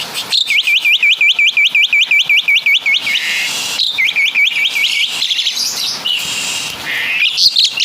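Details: Javan Asian pied starling delivering mimicked caladi and kapas tembak calls: a fast run of sharp, rising whistled notes, about six per second, then scratchy chatter and further whistle series.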